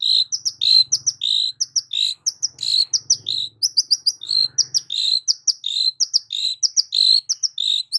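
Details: Long-tailed shrike singing loudly with varied phrasing, used to prompt silent shrikes: dense run of quick chirps and slurred whistles, repeated without pause, with faint low rumbles behind.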